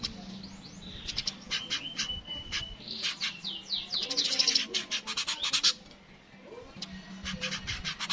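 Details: Streaked weaver, a natural recording, giving busy high chatter: sharp vertical clicks, rapid buzzy bursts and a few down-slurred whistles, with a soft low hum beneath.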